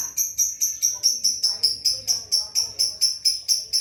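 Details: Lovebird in ngekek practice, producing a rapid, steady run of shrill chirps, roughly four per second and around sixteen in all, with faint low background noise.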